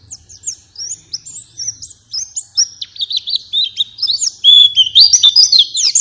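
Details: A white-eye lure song meant to prompt other white-eyes to sing: a rapid, high, twittering stream of thin whistled notes and chirps, growing louder and busier toward the end.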